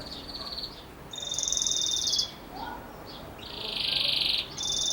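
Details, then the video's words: Belgian canary song of the bell style, described as great for young birds: long sustained buzzy trilled notes held about a second each, alternating with short pauses, over a steady background hiss. "Canário Belga Canto Campainha Ótimo Para Filhotes"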